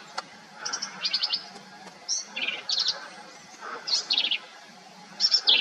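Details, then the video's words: Black-capped vireo singing a varied series of quick, high, buzzy and scratchy phrases, each under a second long and given about once a second, some notes sharp and chattering, over a quiet background. "Black Capped Vireos"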